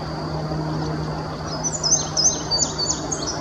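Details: Male indigo bunting singing from a treetop at Sandy Bottom Nature Park, Virginia, in early May 2019. After a quiet start, a run of high, sweet paired notes slurs up and down. A steady low hum and a thin high tone continue underneath.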